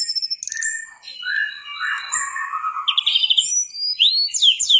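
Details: Mangrove whistler singing on a clear tutor recording for training songbirds: a short buzzy burst and lower warbling, then several loud clear whistles rising sharply and sliding back down.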